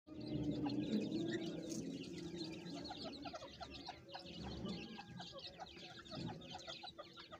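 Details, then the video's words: Farm-kept francolin chicks peep in a busy stream of thin, high chirps, about three a second, over low, soft clucking notes, apparently the mother calling her chicks. "teetar chicks voice"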